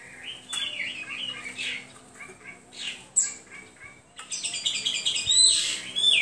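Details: Hwamei singing: varied whistled phrases, some sliding and rising, broken by brief pauses, then a louder burst of rapid, high, scratchy notes near the end.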